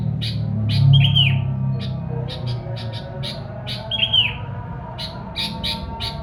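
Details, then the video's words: Sooty-headed bulbul song used as a lure for wild bulbuls: short sharp high chirps repeated in quick clusters, with two bubbly downslurred notes, over a steady low hum. "kicau kutilang buat pancingan kutilang liar"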